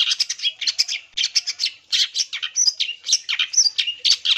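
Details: Long-tailed shrike singing vigorously as a lure for other shrikes: rapid scratchy high-pitched chatter in tight bursts, broken by short thin whistles, delivered almost without pause.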